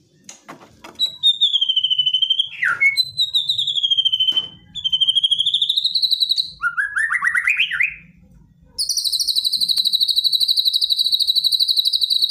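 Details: Aggressive white-rumped shama song used to provoke a response, made of loud sustained whistled trills, a sharp downward swoop, a rising rapid trill, and a very high steady rattling trill.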